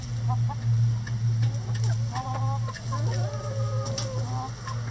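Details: Chickens pecking a hanging cabbage ball in their run as enrichment; bursts of chattering clucks and longer rising whines follow one another, with pecking knocks and a steady low hum beneath.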